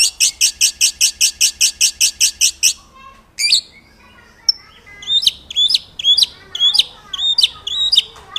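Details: White-rumped shama song used as master audio for training birds: a rapid run of about thirteen evenly spaced bright, ringing notes, a short pause, then varied sharp whistled phrases with upslurred and downslurred notes.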